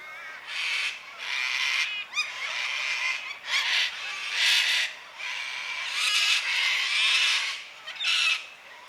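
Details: Noisy cockatoos on a Sunday afternoon near 5 pm, daylight saving time: repeated harsh, raucous squawks about once a second, uneven in timing, with brief quieter gaps between overlapping birds.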